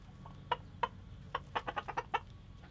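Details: A rooster clucks to his hens about food, showing them where it lies; a few spaced clucks, then a quicker run of five or six short, slightly rising notes near the end, with steady low rumble behind.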